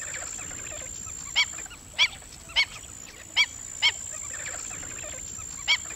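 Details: Black-winged stilt giving sharp, nasal, yelping notes, about six spaced at irregular intervals across six seconds, over a steady high-pitched whine and faint background hiss.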